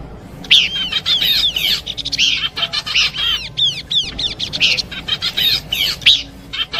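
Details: Horsfield's babbler singing a combination song for luring birds: a continuous, energetic stream of arched whistles, rapid chattering rattles and sharp high chirps, with barely any gaps.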